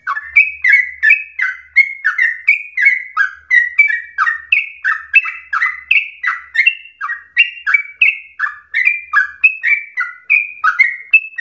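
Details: Energetic yellow-vented bulbul song played as a lure to get other bulbuls singing continuously; chattering string of bright, throaty whistled notes with short downward slurs, close to three per second, and a faint low thump or two underneath.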